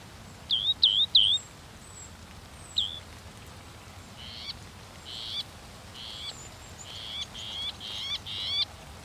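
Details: Northern mockingbird singing: a quick run of three looping, slurred whistles, then a pause and a string of harsher buzzy notes repeated over and over, each phrase type given several times in a row.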